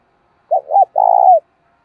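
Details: Spotted dove kept as a decoy, its cooing meant to lure wild doves: a short two-part hollow coo followed by a longer, slightly rough coo that falls at the end.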